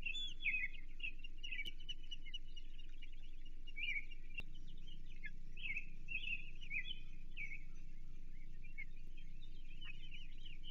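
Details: Osprey calls at a Chesapeake nest on 28 June 2023, during feeding on an American shad. A steady run of fast, high chirps and short whistles sits over a constant low hum.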